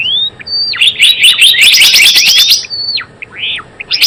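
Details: Lure sound of a Java sparrow for trapping and song tutoring: a level whistle that drops sharply, a long loud burst of rapid, buzzy chirps, then another falling whistle and an arched slurred note.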